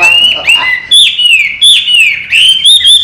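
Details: Chinese hwamei singing, a trained caged pet that flies out and comes back to its cage; loud, pure whistles sliding up and down in quick repeated phrases, with faint speech at the start.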